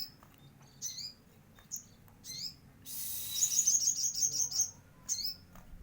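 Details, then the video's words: Energetic gacor singing by a sogon bird, its song filled with Cililin elements: spaced, sharply slurred high chirps, then a hissy burst overlaid by a quick string of bright, ticking notes. "burung sogon gacor isian Cililin"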